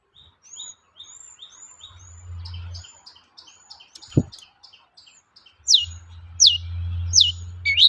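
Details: Long-tailed shrike lure song meant to make other shrikes answer: thin high whistled notes repeated in a steady series over soft chips, then loud sharp descending notes near the end, with a low background hum.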